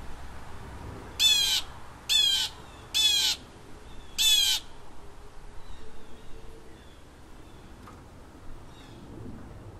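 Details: A vocal bald Blue Jay in a neighbourhood gives four harsh, grating jeer calls, each about a third of a second long, roughly a second apart, over a quiet background.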